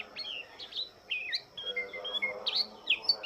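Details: Lombok white-eye at dawn: a series of separate high, short chirps and whistled notes at moderate volume, with a faint hum in the background.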